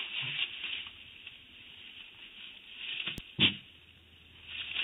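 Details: A California condor chick in its nest cavity, 10 June 2016, hisses and grunts defensively in short, breathy bursts at an arriving adult it mistakes for an intruder before lunging, with a sharp knock and low rustling.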